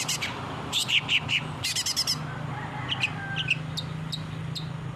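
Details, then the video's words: Lively long-tailed shrike song, intended for training caged birds to respond: scattered sharp chips and a rapid rattling trill, then a thin drawn whistle and spaced short high ticks, with a low humming background throughout. "CENDET GACOR.!!! masteran burung cendet di jamin langsung nyaut"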